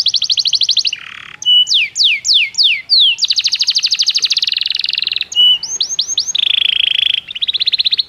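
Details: Training song of a Belgian canary, alternating buzzy high trills, a lower rattling burst and groups of steep downward-swooping whistles, with a sustained dense trill near the end.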